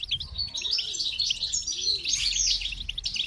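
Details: Dense, bright goldfinch twittering with jangling high notes, accompanied by two soft low coos in the background.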